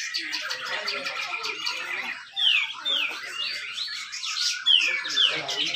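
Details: Competition song of a grey-cheeked bulbul, the tight 'besetan rapet' style used as a lure for reluctant birds, recorded at a contest in Malinau, North Kalimantan: a few sharp descending whistles over a hiss of background birdsong.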